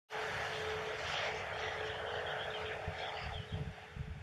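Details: A loud aircraft-like engine drone with a steady hum runs throughout, with thumping low bursts near the end and no animal calls.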